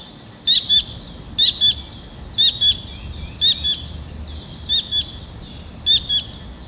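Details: A single small collared kingfisher gives sharp, harsh paired notes, a double 'kek-kek' about once a second in a steady series, over faint low background hum.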